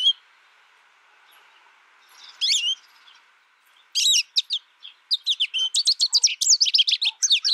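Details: Song of a caged American goldfinch that grew up in isolation, tutored only by a recording. Its notes are scattered at first, then build into rapid, dense, high-pitched twittering and chirped phrases toward the end over a quiet indoor background.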